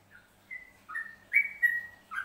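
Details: Yellow-vented bulbul from Central Java, ropelan singing style: a handful of pure whistled notes, alternately stepping up and down. One note is drawn out, and the notes come in a loose, uneven rhythm.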